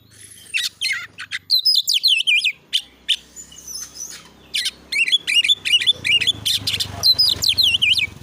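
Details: Agitated champion oriental magpie-robin (kacer) singing fast-baiting 'nembak' training material: varied looping whistles and sharp harsh notes in dense bursts, with a low hum underneath.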